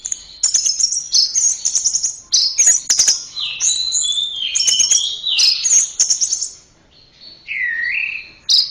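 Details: Rich varied singing of an orange-headed thrush: bright high twitters alternate with lower slurred whistles, the phrases tumbling one after another before a short silence and a final dropping note. A tutor recording meant to build a caged bird's voice.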